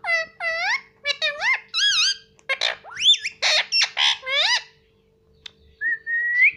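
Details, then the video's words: A pet rose-ringed (Indian ringneck) parakeet talks, mimicking words such as "papa" and "mummy": a quick run of about a dozen high, nasal, word-like syllables over five seconds, then a pause and one rising whistle. "papa bolne vala indian parrot"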